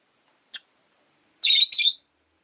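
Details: A brief tick, then two rasping, squeaky chirps run together, from caged Rosy-faced lovebirds competing for perch position. Five birds in a cage by a window; rain outside.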